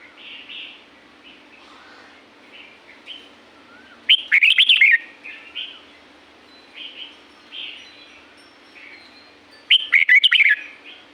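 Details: Wild red-whiskered bulbul in La-u forest gives two bright, bubbling whistled phrases about six seconds apart, with softer distant warbles and chirps between them.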